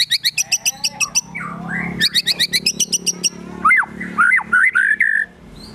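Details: Agitated white-rumped shama song (gacor emosi) with mimicked besetan, tembakan, sogon and kunti phrases: rows of quick high ticks, a brief pause, more tick runs, then loud down-slurred whistles and a warbling phrase.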